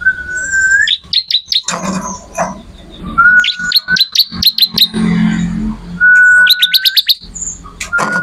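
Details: Energetic bar-winged prinia song used for training other songbirds: long steady whistles that lead into fast bursts of sharp, high, repeated chirps, with the pattern returning several times.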